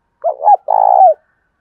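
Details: Single phrase of a spotted dove's urging coo, used to lure doves: two short low hoots followed by one long, rolling, slightly falling coo.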